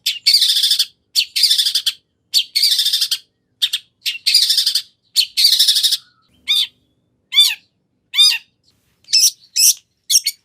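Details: Long-tailed shrike, locally cendet, singing a lively full-isian song with varied inserted phrases, used as a lure to make another shrike answer. Dense buzzy chattering bursts give way to separate sharp, down-slurred whistled notes.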